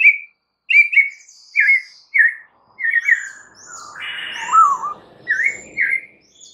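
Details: Lure song of a white-rumped shama used to get other shamas to answer: short whistled double notes repeated with gaps, thin high notes above, and a lower slurred phrase in the middle.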